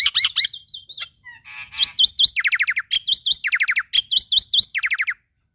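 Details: Male black-winged myna in full, varied song, used to tutor young starlings: rapid bursts of harsh chattering notes alternate with ringing repeated phrases and short whistles, with brief pauses.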